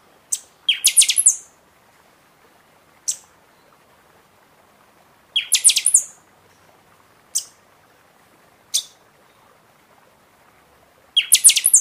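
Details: Buffy-fronted seedeater (pixoxó) singing heavily in season, recording meant to fire up caged birds after moult: short bursts of piercing high whistles alternate with single sharp high notes, a phrase every few seconds, against quiet background.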